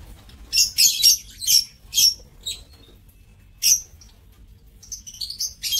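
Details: Lovebirds in an aviary giving sharp, high chirps and squeaky bursts in quick irregular clusters, several calls about a second apart, then a pause and scattered softer twitters.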